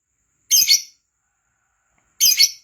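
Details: Lovebird calls used to prompt other lovebirds into singing quickly: two short, harsh, high chirping bursts about one and a half seconds apart, each doubled, with silence between.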